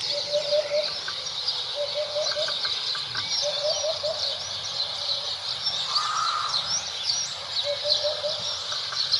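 Hoopoe giving soft, low hollow 'oop-oop-oop' triplets about every two seconds, over a busy high-pitched chatter of other birds.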